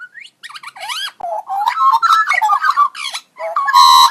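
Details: Magpie producing unusual robot-like sounds: rising whistles, squeaky warbles and chattering notes, closing with a loud, harsh, buzzy sustained tone.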